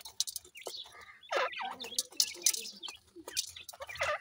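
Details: Grey francolin chicks playing, with shrill chirps and brief descending peeps tumbling over one another, among scratchy handling and pecking noises.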